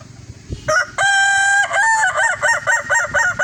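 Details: Evening crow of a red kukuak balenggek rooster on display: a short first note, a long steady harmonic note, then a rhythmic run of about eight choppy, layered syllables, loud and close.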